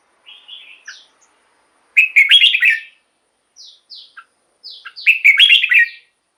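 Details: Soft thin notes lead into two loud, tumbling whistled phrases of a red-whiskered bulbul, used as decoy song or to make caged bulbuls lively.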